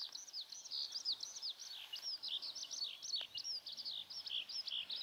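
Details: Skylark over a Tottori pasture grazed by Japanese Black cattle, 22 May, cloudy with rain: an unbroken stream of high, rapid twittering notes and short slurs, pouring on without pause against soft background hiss.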